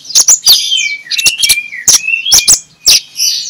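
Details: Ngeplong song of an Oriental magpie-robin recorded to make lazy magpie-robins sing in the morning: sharp, high strokes alternate with smooth, falling and level whistled notes in an irregular, lively pattern.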